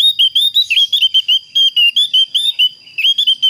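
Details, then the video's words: Javan grey-throated white-eye calling to challenge a rival, a rapid stream of high, very clear whistled notes, several per second, each slightly rising or wavering, with no other sounds. "SUARA PANGGILAN BURUNG OPIOR JAWA GACOR"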